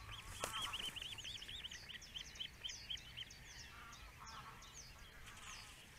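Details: Attentive male osprey, the father, at a nest under a webcam in the Netherlands: a fast run of about ten clear, arched, whistled chirps at even pitch, then a few fainter ones, over steady background hiss.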